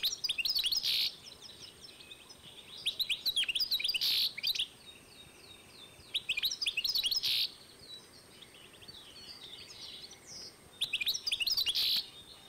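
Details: A 2012 European goldfinch x canary hybrid singing four separate phrases of rapid twitters and harsh buzzy notes, each followed by a few quiet seconds with soft trills.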